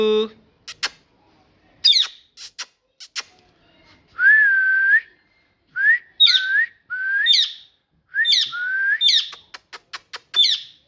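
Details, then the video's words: Talking parrot: scattered sharp clicks open, then a long wavering whistle, followed by paired squeaky chirps and whistles, repeated several times, and a final burst of clicks. "Parrot Talking"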